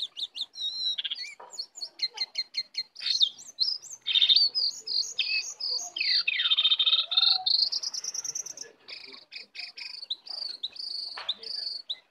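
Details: Wild Oriental magpie-robin coming in to attack, delivering a long varied song of rapid chips, sweeping whistles and buzzy trilled passages with sharp high accents.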